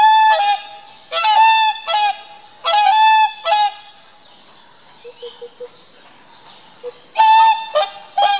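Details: A bonded pair of whooper swans trade loud, brassy, trumpeting honks in paired bursts, several a few seconds apart, with soft low notes in the pauses.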